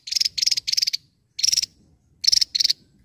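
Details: Javan tesia in full song, sharp high buzzy trills delivered in quick clusters of bursts separated by brief pauses, in a quiet setting.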